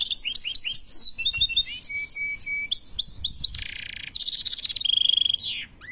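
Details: European goldfinch song: a rapid, varied twitter of sharp rising and falling whistled notes and slurred chirps, a held steady tone, then harsh buzzy rasps and a fast stuttering repeated series near the end, with no other clear sounds.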